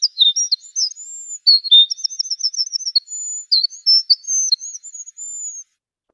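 Pacific Wren song played slowed down: a long, high tumbling run of thin whistled notes and rapid trills, rising and falling with no other sounds.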